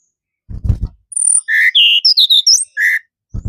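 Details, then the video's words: Tledekan gunung delivering a short burst of clear, high whistles that jump between pitches, with some thin, very high notes, bracketed by low thudding knocks at the start and end. "tledekan gunung"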